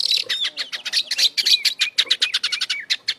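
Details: Oriental magpie-robin (kacer) in lively 'gacor' song full of 'isian' fill phrases, used to rouse other kacer: a rapid, unbroken run of short chattering, buzzy and whistled notes, about three or four per second, with brief slurred whistles.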